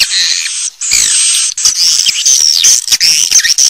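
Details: Swiftlets giving dense, overlapping high chattering twitters and buzzy, squeaky trills that barely pause, with short sliding chirps all through.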